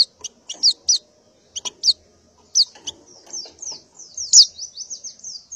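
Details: Female white-eye in breeding condition calling for males in the morning: quick high, sharply falling chirps in short clusters, then a run of rapid descending notes.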